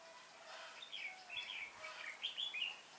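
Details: A decoy red-whiskered bulbul used for trapping on 19 January 2018 gives quick chirpy warbled notes, rising and falling slurs ending in a brighter cluster of twittering phrases, over faint outdoor noise.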